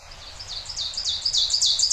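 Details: An ovenbird, common throughout the forest, sings high, ringing two-note 'teacher' phrases in quick succession, growing steadily louder toward the end, over a faint low background hum.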